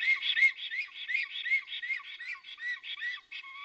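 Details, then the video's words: Black stork at its nest in Puszcza Notecka, Poland, 17 April 2020, giving greeting or alarm calls. A fast series of clear, arched whistled notes repeats about three times per second with a steady, bouncing rhythm. "Powitanie czy niepokój w gnieździe bociana czarnego"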